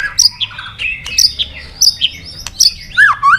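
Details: White-rumped shama, tail-flicking and hopping on its perch while singing a long wild-style competition song: varied clear whistles and sharp high notes, with slurred phrases and a final rising-falling whistled flourish.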